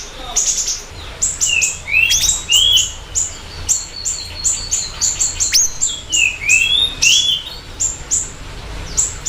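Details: Chattering siri-siri bird, a lure and master recording: fast series of high piercing notes, interrupted by lower swooping whistles in two groups, the phrases pulsing steadily throughout.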